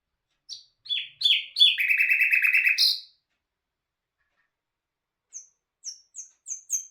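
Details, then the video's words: Nightingale song opening with a few sharp falling notes, then a loud rapid rattling trill for over a second, followed by a pause and soft high thin chips. "Bul bul hazar dastan singing toons Bird"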